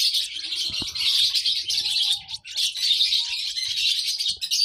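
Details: Baby lovebirds chirp in dense, high-pitched chatter with one short lull, and there are faint knocks at the start.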